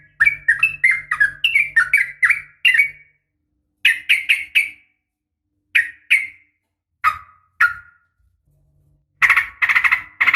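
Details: Yellow-vented bulbul female calling for a male, with a burst of quick bubbly whistles, then spaced single and paired slurred notes separated by silences, ending in a harsher loud chatter.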